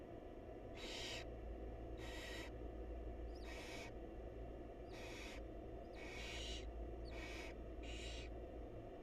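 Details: Wild barn owls in a monitored nest box as the mother feeds her chicks; seven harsh, breathy rasping hisses, each about half a second, spaced irregularly over steady low background hum.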